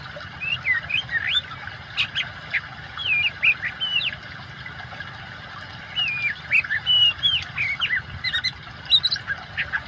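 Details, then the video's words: Oriental magpie-robin singing over a water soundtrack, prepared as therapy for birds that stopped singing; sweet whistled notes that swoop up and down in groups separated by short gaps, with water hissing steadily. "kacer gacor kombinasi suara air cocok buat terapi burung macet"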